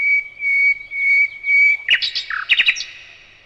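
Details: Nightingale opens with long, pure, drawn-out whistles, then breaks into a rapid cluster of sharp, varied chirps and clicks.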